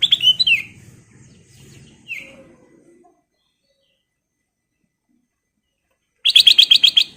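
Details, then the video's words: Golden kutilang emas, a sooty-headed bulbul, singing freely for a training lure: bubbly whistled phrases at the start, a short slurred note near two seconds, then a fast run of about eight repeated sharp notes after a quiet gap. "KICAU BURUNG KUTILANG EMAS GACOR"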